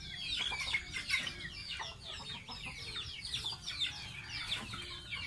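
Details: Pet gosling of the domestic goose during its bath gives rapid, shrill peeps in quick clusters, mostly downward-sliding notes, repeated almost without pause across the stretch.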